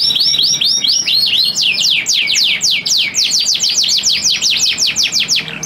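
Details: Male canary courting a female in breeding condition: arched chirps followed by a continuous run of sharp descending whistles delivered several times a second.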